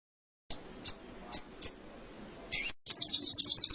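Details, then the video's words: Canary song recorded as training material for other songbirds: four clean, high, down-slurred chirps spaced under half a second apart, one harsh burst, then a quick, high, pulsing trill. "Masteran sogon kekinian materi kenari"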